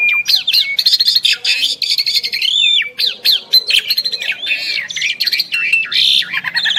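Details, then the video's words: Duet of two Asian pied starlings: rapid, loud, overlapping chattering and squawking notes with upward whistled slurs and harsh broadband bursts, nearly unbroken for the whole stretch. "Jalak Suren Istimewa | Duet 2 Burung Juara"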